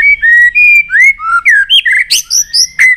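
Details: Fired-up White-rumped shama delivering loud, clear whistled phrases, some long and level and some sliding up or down, ending in sharp high bursts, with barely a pause between notes.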